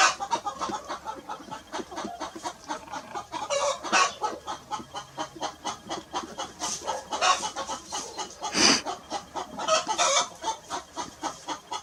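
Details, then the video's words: Clucking hen with rapid, evenly pulsed clucks running throughout, broken by a few louder squawk-like bursts, one sharp and prominent near the end, over a crowded farmyard background. "hen clucking"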